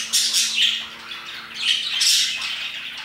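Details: Parakeets chirping around 2pm, a burst of high, squawky chirps and warbles, two main bouts with a quieter gap between, steady faint hum underneath.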